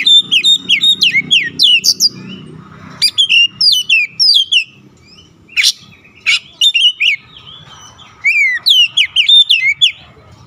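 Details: Oriental magpie-robin singing persistently and unloading its repertoire of learned fill-in phrases: loud, varied whistled notes in quick bursts, some sliding down, broken by harsh buzzy rasps and short pauses, with a low rumble underneath at first.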